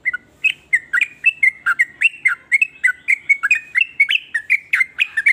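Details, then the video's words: Sooty-headed bulbul pouring out a varied song to provoke other bulbuls into singing, a steady stream of short liquid notes bending up and down, roughly three or four per second, loud and clear against a quiet background. "ber macam" suara trucukan ini bikin trucuk lain iri jadi langsung ikut bunyi"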